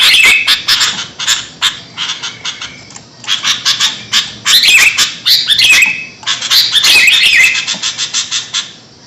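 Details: Loud, excited sooty-headed bulbul calls played for luring birds: rapid rasping chatter in bursts, interspersed with short whistled and slurred notes, pausing briefly before resuming.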